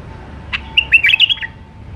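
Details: Song of a wild Iraqi White-eared Bulbul in the Alwazi style: one sharp opening note, then a quick chain of rich, rolling whistles under a faint constant hum.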